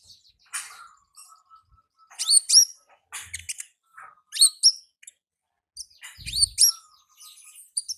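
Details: A wild olive-backed sunbird sings in the ngalas manner, with high, bright upslurred notes repeated in short clusters about four per second, over a faint steady lower hum.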